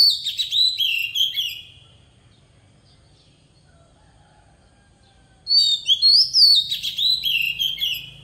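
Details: Oriental magpie-robin, a lure bird singing a forest-style song for training young birds: two bursts of bright whistled phrases with quick warbles, separated by about four seconds of quiet.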